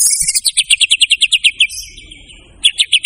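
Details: A white-rumped shama delivers a rapid, evenly spaced series of sharp, bright notes, about five per second, pauses briefly on a thin sustained tone, then resumes the same quick repetition.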